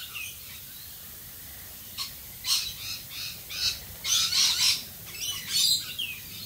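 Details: Australian rainbow lorikeets calling during rain, with scattered harsh, grating screeches that come in short bursts after a quiet start and grow denser near the end, over steady rainfall hiss.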